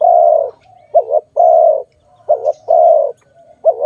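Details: Dove giving a rhythmic call, recorded during trapping with later release: long even coos alternate with brief wavering two-part notes, roughly three cycles, all low and husky, little else audible.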